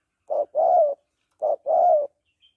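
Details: Female spotted dove calling to excite a male: two low phrases, each a short hoot and then a longer, slightly descending coo, followed by silence.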